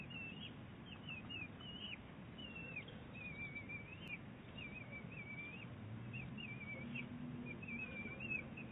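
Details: Big Bear Lake bald eagles, a mother and her eaglet in conversation on 23 April 2018. Rapid high chirps and slurred whistled notes, repeated in quick bursts, including rising and falling wavering phrases, against a low background hum.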